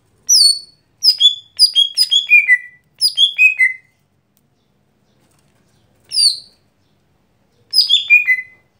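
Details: Lesser green leafbird (gotri) singing its daily song: several descending runs of bright whistles, each note sliding down, with a long quiet gap before two final phrases.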